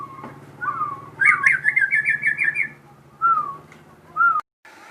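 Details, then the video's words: Crossbred captive shama singing: a slurred whistle, then a burst of rapid chattering trilled notes, followed by two short separate whistled phrases, over a steady low mechanical hum. "burung murai gacor hasil kawin silang"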